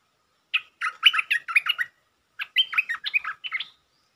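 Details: Provoked territorial Stripe-throated bulbul, lure song: two fast, chattering phrases of bubbly notes, each lasting over a second, with a short gap between them in a quiet setting.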